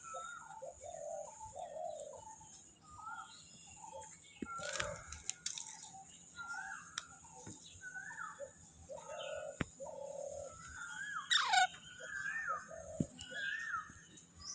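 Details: Young Alexandrine parakeet giving a long run of harsh, chattering squawks, some rising and falling, spaced irregularly, with a few clicks and knocks in a quiet room.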